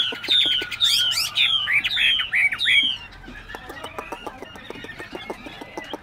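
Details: Loud whistled song from a tame caged Chinese hwamei in Bình Chánh, Ho Chi Minh City, fast varied phrases for three seconds, then quieter rapid clicking and tapping sounds.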